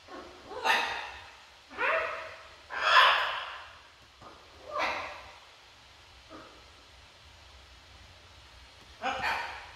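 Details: Pet macaw at home giving a series of harsh, raspy squawks, about five bursts spaced one to two seconds apart, each loud and broad, with quiet gaps in between.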